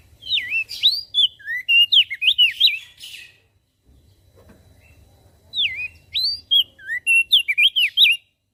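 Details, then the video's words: Javan grey-throated white-eye in full song, its voice said to provoke other birds into singing: two bursts of rapid, bright, looping whistled notes, each about three seconds long, separated by a quiet gap with a low background hum. "Opior Jambul Gacor Suaranya Memancing emosi Langsung Burung Lain Ikut Bunyi"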